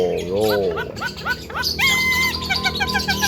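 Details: Javan myna, a young bird, giving a melodious full isian song: a series of quick upward-curving whistled notes, then a bright sustained whistle and rapid chattering phrases, with a low droning hum beneath.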